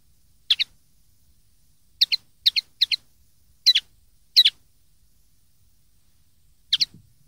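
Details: Common linnet recorded in 2013 as a tutor recording for young linnets to copy: sharp doubled chirps, high and bright, given singly then in a quick cluster of paired notes, with quiet gaps between.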